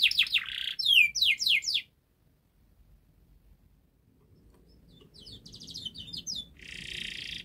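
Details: Canary from a master recording used to coax silent canaries into song: a run of fast sharp downward-swept notes for two seconds, a pause of near silence, then softer twittering trills and a buzzy burst.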